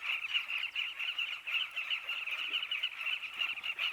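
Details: Sociable southern carmine bee-eaters nesting together in riverbank burrows in Africa make a constant, even cacophony of chirps from a large crowd of birds, with no single caller rising above the rest.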